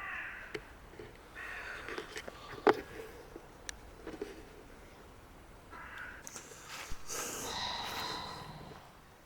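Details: A common pheasant in a UK wood at night gives harsh, grating, crow-like calls with a late burst of rough notes, startling people nearby, whose hushed voices react.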